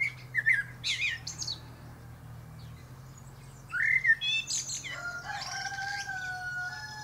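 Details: Male Common blackbird (Turdus merula) perched atop a pear tree, singing short melodious warbled phrases with squeaky high flourishes, followed by a prolonged harmonic drawn-out call from another animal over a constant low drone.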